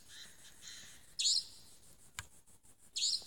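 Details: A Savanna Nightjar calls at dusk in Tmatboey forest, Cambodia, on 18 February 2018: two sharp, harsh, high-pitched notes about two seconds apart, over a faint hiss of insects and a single click.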